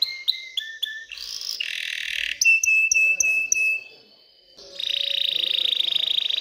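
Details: Canary in excited mating song to stimulate females and nest building: short whistles, a harsh buzz, clicking notes over a steady pure tone, a brief pause, then a long fast trill.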